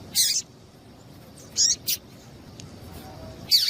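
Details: Female double-collared seedeater call, used to stimulate the male to sing: three to four quick, harsh, high-pitched chips, one a short double note, over a quiet hissing background.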